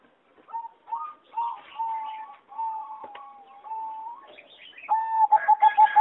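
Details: Singing zebra dove bred for competition, in a flight-cage aviary on 26 April 2014: mellow, clear coos held at one pitch with short rising slurs, ending in a fast staccato run of bright, pulsed notes.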